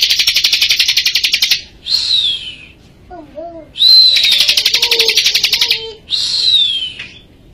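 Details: Bar-winged prinia singing vigorously in Majalengka as a tutor recording: a rapid buzzing trill, then a high sliding whistle, another long rattle and a further whistle, with soft lower chirps from another source in between.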